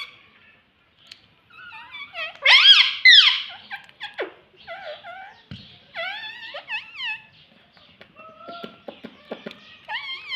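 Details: Talking pet parrot, said to say 'mummy papa', indoors: a run of harmonic, speech-like squawks and bent whistles, louder near the start, then shorter rising and falling syllables with clicks between, in a quiet room.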